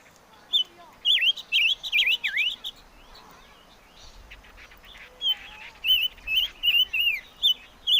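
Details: Chim ngũ sắc song: clear whistled phrases that swoop down and back up, delivered in quick bursts, then a longer sequence of evenly spaced bright whistles with a faint chirping background.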